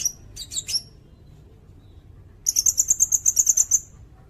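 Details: Sirindet song for training songbirds: a few stuttered high chirps, a pause, then a fast even trill of about thirteen sharp whistled notes, nearly three per second, very high-pitched.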